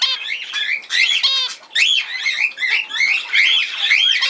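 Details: Budgerigars recorded on 17 November 2024 give loud, fast chatter of bright whistles and harsh, buzzy trills in several bursts separated by short gaps.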